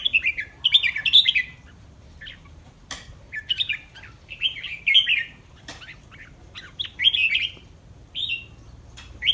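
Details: Red-whiskered bulbul in a cage before a singing contest in Thailand, delivering a run of quick bubbly warbled phrases, each under a second, repeated steadily with brief gaps; sharp clicks and light background chirps.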